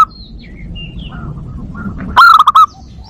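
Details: Zebra dove luring and breeding-stimulation call: faint high chirps from other birds at first, then a sudden loud cluster of about four staccato cooing notes over low background noise.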